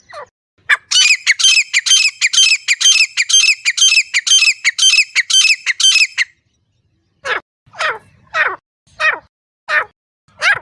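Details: Wild grey francolin recorded in a natural setting, its call used in hunting: a long fast series of loud, harsh, ringing notes, about two per second, then several separate downward-sweeping notes after a pause.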